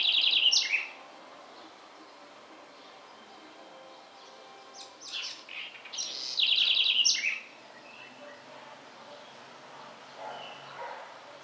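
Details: House wren singing in the Sertão backcountry of Bahia, Brazil: two bursts of rapid, high chattering notes with quick descending slurs, separated by quieter scattered chirps; faint background bird calls.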